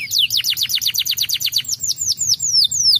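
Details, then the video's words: Canary song meant to stimulate birds: loud, clear downward-swooping whistles repeated in quick succession, slowing slightly toward the end, with no other sounds. "хутка стымулюе гук канарэйкі"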